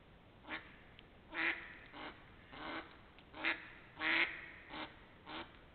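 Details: Ducks recorded between 28 March and 3 April 2021, giving loud harsh quacks in an irregular series, some single and some paired, with quieter quacks between them, over a steady low background hiss.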